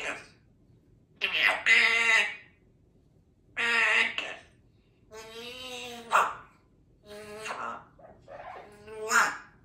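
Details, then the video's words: A chatty baby African grey parrot talks, asking for a big kiss, in short voice-like phrases, about four bursts with pauses, in a quiet indoor room; a Yellow-naped Amazon is in the background. "Baby African Grey Talking Parrot asks for a big BIG KISS"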